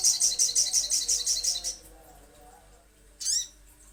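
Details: Little spiderhunter (sogon or sogok ontong) in a lure recording: about a dozen evenly spaced, piercing high notes delivered quickly, then a lull with faint low background rumble and one harsh, slurred note.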